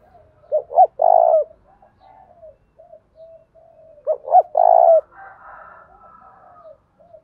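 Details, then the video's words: Spotted dove cooing in the Đồng Thổ style to challenge a rival: two phrases about three and a half seconds apart, each a stuttered double note and a long buzzy coo, with quieter soft coos and chirps trailing between. "Chim cu gáy thúc đấu giọng Đồng Thổ/ chim cu gáy kích bổi hiệu quả và nhanh nổi"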